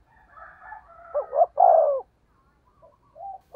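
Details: A decoy spotted dove with 'thổ' voice: faint warbling before one 'thúc gù' phrase of quick notes and a strong drawn-out coo, followed by soft short notes.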